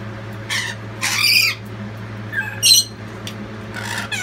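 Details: A lorikeet family calls loudly in support of the youngest fledgling just out of the nest box; scattered raspy shrieks of half a second or less, spaced irregularly, over a constant low mechanical hum.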